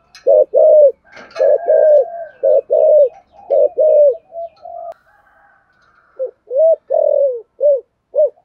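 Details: Caged decoy spotted dove cooing in 'thúc gù' style to lure others: uneven low rounded coos, a short pause filled by a faint higher note, then quicker separate coos.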